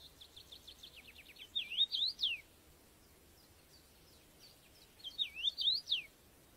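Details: Common rosefinch, a UK bird, in a field recording: a quick run of about ten short, high, even notes leads into a loud slurred whistled phrase of rising and falling notes. A second whistled phrase follows after a pause, over faint background hiss.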